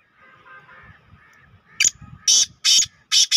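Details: One of two captive black francolins, one wearing an orange ring, recorded on an evening in June 2023: a soft murmur, then three or four harsh, grating high-pitched bursts in quick succession.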